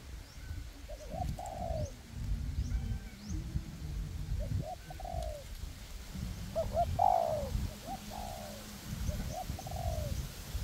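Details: Two decoy spotted doves, one on the ground and one on a perch, call together in forest to lure wild doves into a trap. Repeated short coo phrases, each a few quick notes ending in a longer falling coo, over low rumble.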